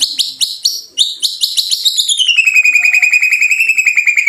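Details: White-rumped shama song meant to provoke caged birds into singing: fast repeated high chips, then a long, slowly falling trill of rapid pulses.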